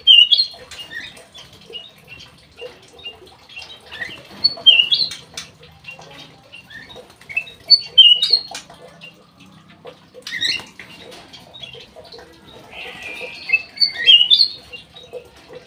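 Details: Black-headed bulbul in an aviary giving short bursts of bright whistled phrases every few seconds, with quiet gaps and occasional knocks between them.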